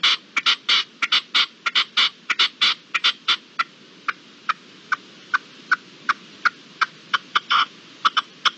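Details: A partridge calling at dusk on 7 April 2022 gives harsh, chuffing notes, first in quick crowded bursts, then as single sharp notes about twice a second, over a quiet background hiss.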